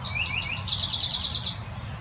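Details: Eastern towhee singing in Southeast Wisconsin: a couple of sharp high introductory notes followed by a fast, buzzy trill lasting about a second and a half, with faint low background rumble.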